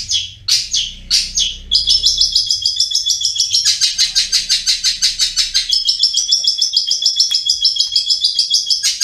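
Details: Long-tailed shrike singing vigorously in the rapid chattering ngriwik style, a master recording: a few separate sharp calls, then a long run of very fast, high, buzzy repeated notes, about three per second.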